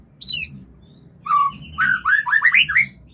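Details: , White-rumped shama mating call used as a lure to stimulate mating: a high thin whistled phrase, a pause, then a burst of loud rich slurred whistles and rapid chirps, rising and falling, with a faint low hum beneath.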